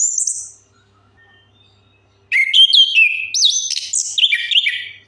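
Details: Orange-headed thrush song used as a lure to set silent birds singing: a brief high whistled note, a quiet pause, then a loud, rapid run of varied sweet whistles and harsh notes, leaping and sliding between phrases.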